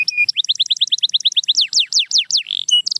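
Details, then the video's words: Canary singing meant to motivate silent cage canaries to sing: a run of quick repeated clipped notes, then sweeping downslurred whistles, a short buzzy note and a final high chirp, clear with no background. "The Secret Sound That Brings Back Any Quiet Canary"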